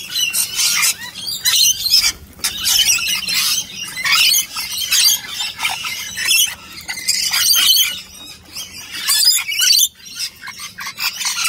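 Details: Several rainbow lorikeets squabbling over a bowl of nectar, loud rasping screeches and chatter in dense overlapping bursts with brief pauses.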